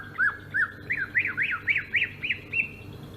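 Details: Greater green leafbird from Sumatra in rolling ngerol song: a string of about nine rising-and-falling whistled notes, each roughly a third of a second apart, over low background hum.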